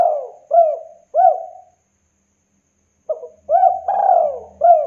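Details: Local spotted dove singing steadily and energetically. Mellow coo notes, each arched then sliding down, are repeated in short groups. After a two-second pause, a longer phrase of stacked coos follows, with a faint low hum beneath.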